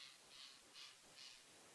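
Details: A Lilac-breasted Roller, believed to be shouting at a Pearl-spotted Owlet as a predator, on an African bush morning drive, 7 August 2016: four harsh, rasping, crow-like calls, about two per second, over a soft hiss.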